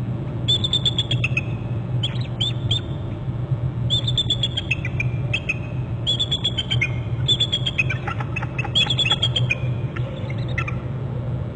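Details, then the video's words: High, staccato trilled chatter from an eagle pair at its Hornby Island nest territory as the female arrives from inland and joins the male, bursts repeated about every two seconds with a constant low hum beneath. "hearing trills and female in from inland right to upper right and joins the male"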